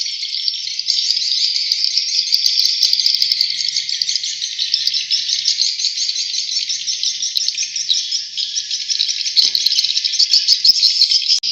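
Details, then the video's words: Swiftlet chicks in Kalimantan calling together in a dense, unbroken chorus of high, thin twittering chirps, steady throughout with small swells in loudness. "Anak Burung Walet"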